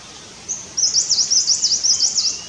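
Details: Nest-building Himalayan Cutia uttering a high, rapid chain of roughly nine sharp, V-shaped chirps, evenly spaced over under two seconds, against quiet natural background hiss.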